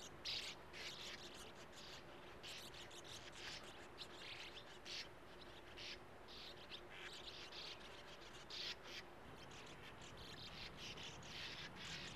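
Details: Sand martins at a breeding colony in a small earth mound with a steep face beside a gravel-pit lake, young waiting at burrow entrances with wide-open bills; scratchy twittering chirps in repeated bursts over a steady low hum.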